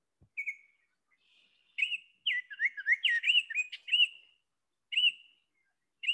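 Baltimore Oriole singing a slow, clear song of rich whistled notes, a short phrase of slurred rising and falling whistles followed by single spaced notes.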